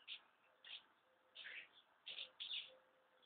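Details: House martins in numbers, ready to leave their nesting places, give clear, bright chirrups in short bursts about every half second, some doubled, over a soft steady hiss.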